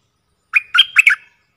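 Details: Bulbul calling as a decoy bird, one of four: a short, throaty, bubbling phrase of four notes with a thin, level tone beneath. The surroundings are silent.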